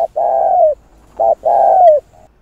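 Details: Spotted dove cooing to stimulate doves to call: two long, buzzy, level-then-falling coos, each preceded by a short hoot, low and mellow with a faint soft note trailing at the end.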